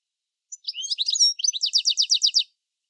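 A European Goldfinch gives a quick, bright twittering phrase, tinkling notes followed by a rapid run of about ten liquid, rolling syllables.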